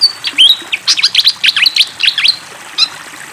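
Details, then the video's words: Energetic fantail song set against flowing water: a few thin slurred whistles open into a burst of rapid chattering chirps, then a lone high note after a short pause. "SUARA BURUNG SIKATAN KIPASS GACOR DENGAN SUARA AIR MENGALIR"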